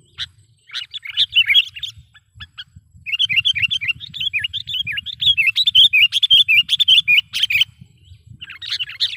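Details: For trapping, a sooty-headed bulbul lure: a few chirps, a pause, then about five seconds of fast, even, looping chirped notes, followed by a short gap and renewed calling, over a low rumble.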